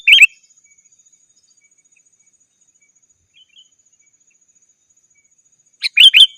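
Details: Sooty-headed bulbul rival call, used to lure wild birds and to tutor caged ones: a chirpy whistled phrase at the start, a long silence with a faint soft note, then a busier double phrase of bubbly notes at the end.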